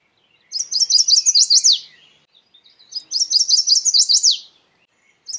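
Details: Chestnut-sided warbler singing two songs, each a quick run of high, sweet chipping notes that speeds along and ends in two sharp, emphatic downslurred notes, separated by a brief pause; quiet background.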